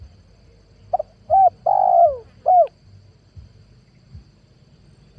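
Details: Spotted dove lure call from 2022, used for attracting wild doves. A single clear phrase: two brief notes, a rounded coo, a long downward-gliding coo, then one short closing coo. The background is quiet apart from a low hum.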